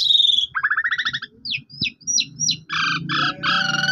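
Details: Lure song of an Asian pied starling, meant to set a mute bird singing: a high whistled note, then repeated buzzy harmonic bursts, brief downward chips and more harsh nasal phrases, with low background hum.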